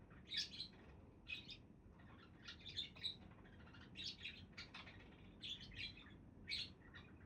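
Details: Pet budgies chattering in quick, scratchy, high chirps that come in clusters about every second over a soft background hiss.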